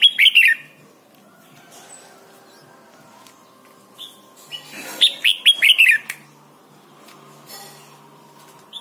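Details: Thai Red-whiskered bulbul singing, a recording meant for training young birds: a lively phrase of bright, slurred, bouncing notes opens, then silence, then a second longer run of rapid chirpy notes about five seconds later.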